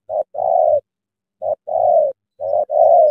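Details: Spotted dove in a trap working as a tame decoy to draw in a big wild spotted dove, cooing in pairs of a brief note and a longer mellow one, three phrases spaced by short pauses.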